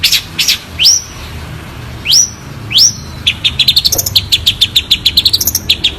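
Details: Long-tailed shrike (cendet) clear-voiced song: three separated upward-sliding whistles, then a fast rattling series of short high chirps rising and falling in pitch, with steady low background hum.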